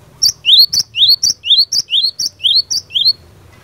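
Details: Fighter-style cinereous tit song used to provoke rival tits into replying, delivered as a steady run of about six paired notes, each a sharp high tick followed by a rising, slurred whistle, roughly two phrases per second.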